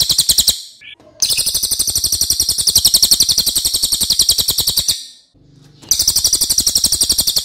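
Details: Racket-tailed treepie master song, loud and long, used to tutor other birds: sustained fast volleys of shrill, metallic pulsed notes lasting up to four seconds, interrupted by short pauses with a faint squeak.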